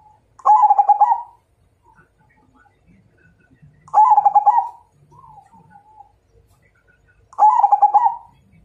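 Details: Majapahit zebra dove singing a challenge to fight: three bubbling, stuttered coo phrases repeated about every three and a half seconds, with faint softer coos between them.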